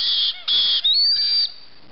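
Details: White-bellied caique chicks, 5 to 6 weeks old and hungry, give loud, harsh, buzzy begging calls in long sustained bursts with brief breaks, the last one sliding upward and holding steady.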